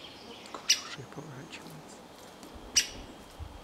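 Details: Great spotted woodpecker fledgling hopping clumsily on a pine and calling: two sharp, short, high 'kik' notes about two seconds apart over faint background rustling.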